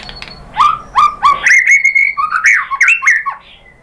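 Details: White-rumped shama (murai batu), a lure recording meant to provoke other shamas into answering: loud whistled phrases, three quick dropping notes then a long level whistle and rippling warbled notes, with sharp clicks.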